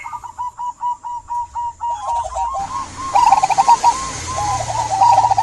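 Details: Local zebra dove song to get silent doves singing: a regular run of short rolling coos, then louder bubbling trilled phrases over rising background noise.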